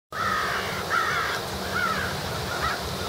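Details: Crows feeding as they start to gather before roosting: four harsh, slightly downward caws spaced under a second apart, over a steady hiss of outdoor background noise.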